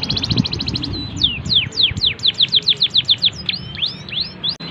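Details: Canary cengkok song used as a master recording for young birds: an opening buzzy trill, then loud downward-sweeping whistles repeated about five times a second, closing with scattered upslurred notes.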